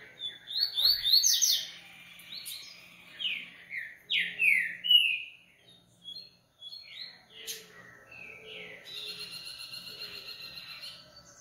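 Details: Captive-bred coleiro (Double-collared Seedeater) from Brazil delivering a rapid song of bright, down-slurred whistled notes in quick bursts with short pauses, ending in a buzzy, rattling trill.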